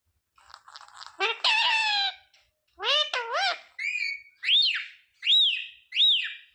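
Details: A ringneck parrot kept as a pet repeats the learned words "mummy" and "papa": harsh, buzzy word-like syllables first, then three clear arching whistled notes evenly spaced about a second apart in a quiet room.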